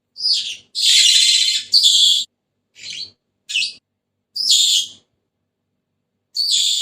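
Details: Senegal parrot, a pet bird in Algeria, giving harsh, noisy screeches and squawks in separated bursts of varying length, some long and rasping, others short, with silent gaps between them.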